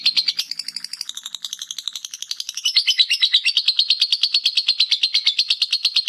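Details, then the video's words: Lovebird singing the ngekek style, a long chattering trill kept as a master recording for training other birds: rapid high notes repeated about three per second, building into a steady, loud, even rattle with no other sounds. "Suara Lovebird ngekek masteran"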